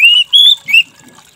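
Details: Three bright whistled notes from an orange-headed thrush, played to coax a stressed, silent bird into singing again. Each note is slightly rising and drawn out, the last one shorter and sliding upward.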